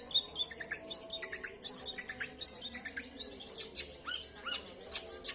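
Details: Long-tailed shrike singing a lively, varied song described as full of mimicked fill-ins: rapid high chirps, sharp whistles and buzzy notes in quick bursts about once a second, with a faint low hum behind.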